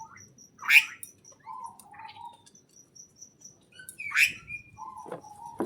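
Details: Birds chirping in a greenhouse: two sharp, sweeping chirps, each followed by lower, level warbled notes, with a regular high ticking in the background.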